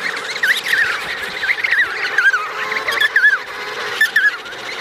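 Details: An adult emperor penguin pair with their chick on the Davis Sea give loud, wavering, strongly warbling calls that rise and fall in quick loops, several overlapping phrases, over steady windy background noise.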